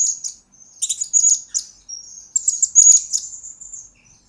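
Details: Very high, sharp chirps and thin trilled twitters run almost continuously from a blue-crowned hanging parrot, recorded as master and lure material for training birds; quiet background.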